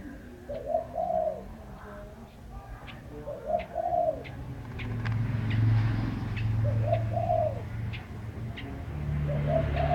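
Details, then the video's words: Bird singing, giving soft, low, two-part cooing phrases roughly every two to three seconds, with faint ticking clicks and a low vehicle-like rumble in the background. "Chim hót hay"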